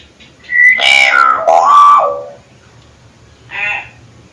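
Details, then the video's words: Hill myna delivering a varied phrase of clear whistled notes that step downward with buzzy overtones, then, after a short gap, a single nasal call. "pancingan suara burung beo"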